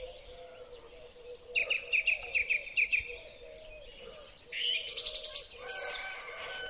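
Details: Song thrush singing in spring, recorded on a Huawei P30 Pro phone: a run of short clear whistled notes repeated several times, then a burst of loud high rattling phrases, over a steady low hum near 500.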